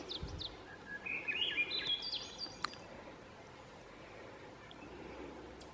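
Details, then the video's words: Swainson's thrush on France Brook Rd., ASP, sings one breathy, flute-like phrase that spirals upward in pitch over about a second and a half, over steady outdoor background noise. "Swainson's thrush"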